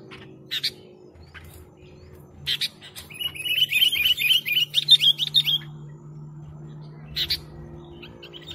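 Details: Sooty-headed bulbul singing vigorously, used as a lure recording: a run of quick chirpy notes, about eight to ten, rising slightly in pitch, between brief separate chips before and after, over faint low hum.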